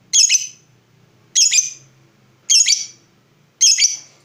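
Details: Lovebird, in a recording meant to stimulate other lovebirds to sing: four loud, sharp, high squawks at steady intervals of about a second, with a faint low background hum.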